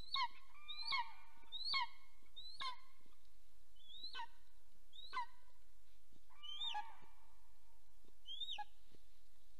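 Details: Nest camera in Soomaa National Park, southwestern Estonia, 17 March 2024, golden eagles mating at the nest; a long, somewhat irregular run of about a dozen thin, falling yelps, some overlapping, over steady low background noise.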